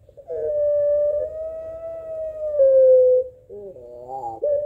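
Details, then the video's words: Barbary dove, puter pelung type, answering a rival: a smooth sustained mid-pitched coo of about three seconds that eases lower at the close, followed by a quick quavering warble and a short closing note. "Suara Puter Pelung Saling Sahut Memanggil Lawan"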